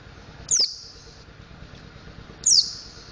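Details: A mountain white-eye practises ngriwik and ngeplong singing, giving two thin, piercing downslurred notes about two seconds apart, each trailing into a short high buzz, against a quiet hum.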